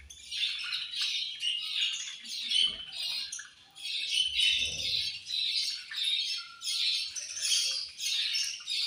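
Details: Several budgerigars eating at feeding time, called angry, keep up a steady, rhythmic stream of harsh high chirps and squeaky warbles with brief dips, over occasional low bumps.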